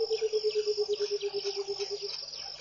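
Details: Burchell's coucal singing in the early morning at Pete's Pond, Mashatu Game Reserve, Botswana, January 2014: a low, hollow series of rapid notes falling slightly in pitch for about two seconds, over a steady high insect-like hum.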